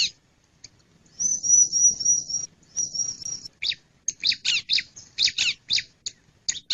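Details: Male bar-winged prinia giving one thin, high, wavering trilled note, then another, then a fast run of harsh, scratchy chirps repeated several times a second.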